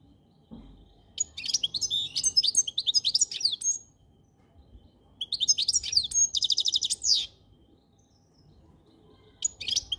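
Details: Two long phrases of goldfinch song, each a fast jumble of tinkling chirps and twitters with a buzzy trill, separated by a pause, then a brief final note.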